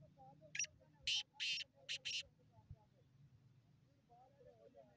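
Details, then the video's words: Black francolin (kala teetar) calling. Five harsh, grating, noisy bursts are delivered in a quick uneven series over about a second, followed by quiet. A low steady hum and faint softer chirps sit in the background. "کالا تيتر کی آواز"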